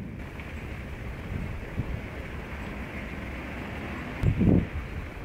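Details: Constant low wind rumble with a brief knocking thud near the end, and no animal voice.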